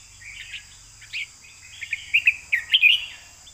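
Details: Caged red-whiskered bulbul in เบิ้ล2เบิ้ล3 song. Softer scattered chirps build into a brisk cluster of sweet, warbling notes toward the end, with a faint low rumble and a steady high tone in the background.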